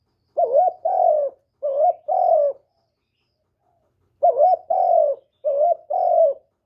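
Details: Vietnamese spotted dove in captivity giving calling and cooing phrases, played to help newly caught decoy doves start singing: two bursts of paired low coos, each a brief wavering note then a longer drawn-out falling note, separated by a silent pause.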